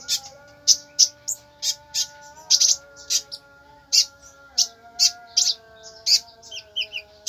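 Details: Tembakan-style song of a brown-throated sunbird: rapid, bright, high-pitched chirps in quick bursts, with a few quick twittering notes near the end and low steady hum-like tones underneath.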